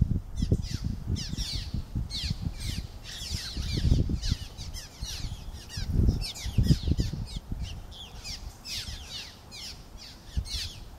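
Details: A colony of cliff swallows at a Yocona River bridge, Lafayette County, Mississippi, on a sunny, warm (75°F) 15 May 2020, keeps up a steady chatter of short, squeaky chirps and creaky notes over heavy low rumble from wind or traffic.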